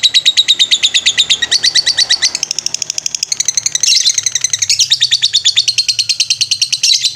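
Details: Lovebird in a master recording for training birds, singing ngetrek style: a fast, unbroken chatter of sharp high chirps, about three per second, shifting pitch bands every second or two for over seven seconds.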